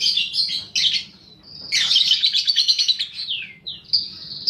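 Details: Lure song of a paud balibu fighter lovebird for prompting long ngekek singing: rapid shrill chirps, a long grating trill, a sliding falling note and a steady high whistle at the end.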